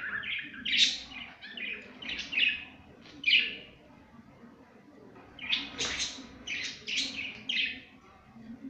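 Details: Pet budgerigars playing, giving bursts of bright chattering chirps and warbles, clustered in quick runs with short pauses, plus a low steady hum underneath.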